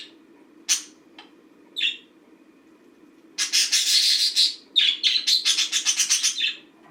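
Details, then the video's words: A domestic green budgerigar's routine: a few isolated sharp chirps, then a sustained burst of fast, harsh warbling chatter, a short pause, and more rapid pulsed twitters. "Green budgie routine"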